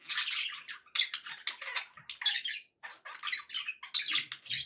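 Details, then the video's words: Pet budgies in good spirits give steady raspy chatter, with loud buzzy squawks and chirps in quick bursts. "happy budgie sounds"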